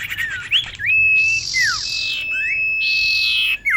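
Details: Female common iora calling to a male, played as a trapping lure: falling whistled notes, then a long, even, pure whistle held steady beneath two broad, harsh buzzing bursts.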